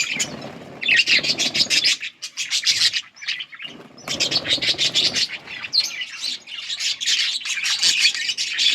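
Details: Yellow budgies chirping, offered as company for lonely birds, recorded on August 21, 2024; dense continuous warbling chatter of several birds, fast overlapping chirps and buzzy twitters with brief lulls.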